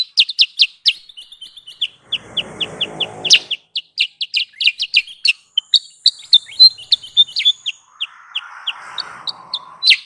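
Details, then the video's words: Sooty-headed bulbul lure call used for trapping birds: sharp, high, downward-slurred chirps repeated rapidly and unevenly, about three or four a second, broken by a rough noise burst near two seconds and a lower hiss near the end. "Suara pikat Burung Kutilang sutra"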